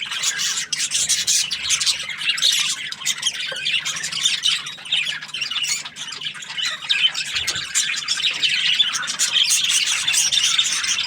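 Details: Budgerigar chattering happily: a long run of shrill chirps, clicks and warbles at a fairly even level, with a brief pause around the seventh second.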